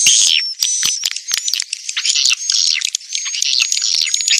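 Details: Edible-nest swiftlet calls meant to attract birds to farming houses in Kalimantan: harsh, buzzy chattering chirps in uneven bursts, joined by a faint, steady high tone.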